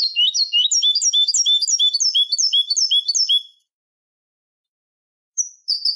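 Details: Canary singing malagueño song for training: a sustained fast trill of looping chirps for over three seconds, then silence, then two separate high whistled notes.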